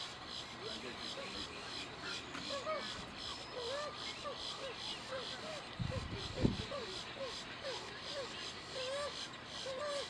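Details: A least bittern, a secretive marsh bird, sings out in the open with soft, low cooing notes about once a second over steady background noise, with a brief thump midway.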